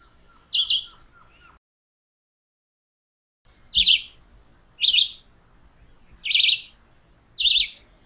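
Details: Chivi vireo (juruviara) song of brief, rapid warbled phrases repeated roughly once a second, with a constant thin high drone behind them and a short silent break early on.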